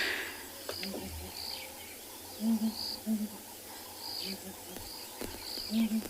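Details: Southern Ground Hornbill, possibly one of the clan males, on a morning safari, 1 February 2021, at a South African game reserve: deep, hollow, instrument-like booming notes, often in close pairs, every second or so, with thin high whistles from other birds and a voice.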